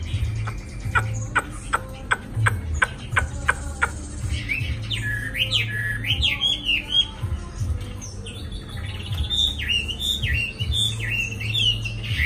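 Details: Caged Chinese hwamei, just arrived in Hanoi and not yet at full form. A series of sharp clicks over the first four seconds gives way to strong, jerky whistled phrases that rise and fall, over steady low background noise.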